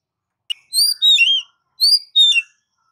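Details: Oriental magpie-robin giving clear, rich whistled notes in two short pairs, each note sliding slightly downward, with a brief click before the first.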